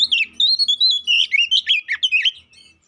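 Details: Oriental magpie-robin lure song meant to anger the bird and provoke fighting; a rapid run of warbled, slurred whistles and chattering notes, fading out at the end.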